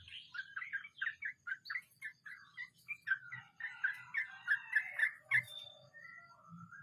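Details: Sooty-headed bulbul singing in the rolling 'mbonang' style: quick, evenly spaced short fluty notes, about four per second, swelling midway into a denser rolling run of slurred phrases, then fading to sparse notes over a faint low hum.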